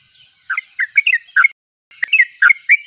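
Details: Vigorously singing sooty-headed bulbul delivering two bursts of bubbly, slurred chirps with warbling up-and-down notes, separated by a short silence and a loud sharp click.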